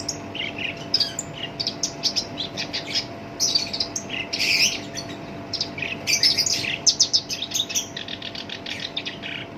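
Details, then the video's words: Coarse-voiced black-browed reed warbler, kept as a lure to excite other birds, pours out dense, rapid runs of scratchy chirps and squeaky notes with short gaps, over a low steady hum. "SINCHAN (KERAK BASI ALIS HITAM) GACOR POL, SUARA KASAR COCOK BUAT PANCINGAN GACOR LANGSUNG NYAMBER"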